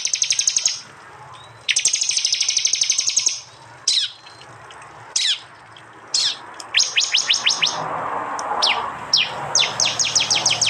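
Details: East Java prinia song, recorded on an Android phone: buzzy high trills alternate with single sharp upward notes, then quick series of clipped chirps, each burst separated by short silences.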